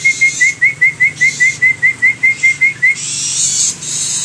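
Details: Rapid run of about fifteen bright, high whistled notes from a long-tailed shrike, evenly paced and slightly upslurred, ending abruptly; a burst of hissing noise follows.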